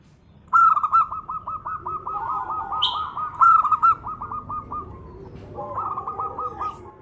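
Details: Zebra dove female calling the male as a lure: a long stuttering trill of rapid coo notes that begins sharply and rolls on for several seconds, a brief buzzy chirp, then a shorter second phrase.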